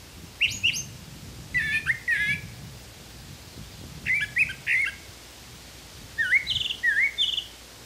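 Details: In the wild in Canada, a brown thrasher sings clear slurred phrases, mostly doubled, with rising and falling whistles in four bursts separated by brief silences, over faint low rumble.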